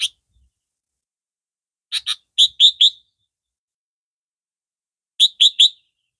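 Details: Red-vented form of the Sooty-headed Bulbul, a caged bird whose voice is called clearer and louder than the yellow-vented form. Crisp, high chirping notes come in quick clusters of two to four, separated by pauses, with no other sounds.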